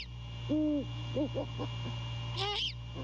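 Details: Male great horned owl hooting to his mate at the nest at night, mid-January 2022. One drawn-out low hoot is followed by two short ones, then a harsh rasping burst, over a faint hum.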